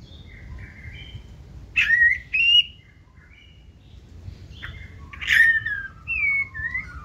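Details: Caged white-rumped shama, a 2024-season bird, singing in the 'forest voice' style while hopping across its perch with tail raised high: loud whistled phrases with sharp rising and falling slurs, separated by quiet pauses.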